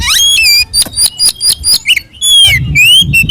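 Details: Oriental magpie-robin's fighting song, used to provoke rival magpie-robins. Clear ringing whistles, some rising and some falling, alternate with sharp clipped notes in a varied, energetic phrase.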